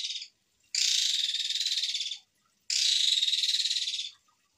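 An Asian pied starling gives long, harsh, rasping bursts, each about one and a half seconds of rapid grating pulses, separated by short pauses.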